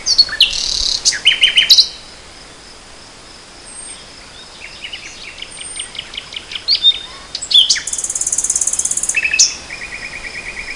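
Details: Nightingale singing in spring 2014: high buzzy and rattling phrases, rapid trills of repeated notes, then a pause before more strophes with a fast metallic rattle and a steady pulsed series at the end.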